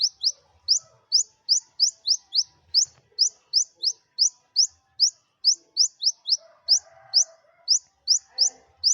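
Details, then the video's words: Olive-backed sunbird kept at home, its song meant to prompt other birds to sing, utters a steady stream of about thirty bright rising chips over nine seconds, with soft murmuring noise underneath. "Kolibri Ninja Buka Paruh Materi Sejalur Cocok Buat Pancingan Burung Malas Bunyi"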